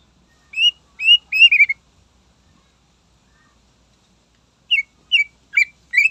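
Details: Greater green leafbird singing to provoke rival birds: two bursts of short, bright, slurred whistled notes, three or four quick notes each, separated by about three seconds of silence.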